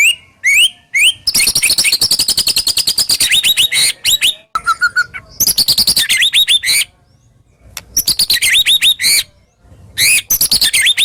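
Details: White-rumped shama (murai batu) singing a full, sharp and harsh 'tembakan' song as a lure for shamas that have stopped singing. It is a loud, varied high-pitched song of rising whistles, dense rattling trills and buzzy runs, broken by short pauses.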